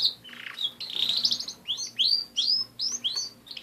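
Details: Pet canaries singing: a buzzy trill followed by a series of clear upward-sweeping whistled notes, each repeated roughly every half second.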